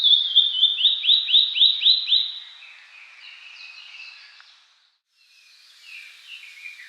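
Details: Blue-and-white flycatcher, counted among Japan's three famed songbirds, singing in a courtship display toward a female: a quick run of about eight clear, downslurred whistles, then softer warbled phrases that fade, break off, and resume.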